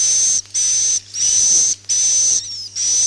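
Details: Swiftlet lure roosting sound: long, sizzling high buzzes, each about half a second, separated by brief pauses. There is a steady low hum in the background.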